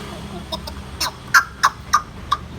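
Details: A pet grey parrot being greeted by its owner in the morning gives a run of short, clucking mid-pitched notes, about three a second and growing louder, in a quiet room.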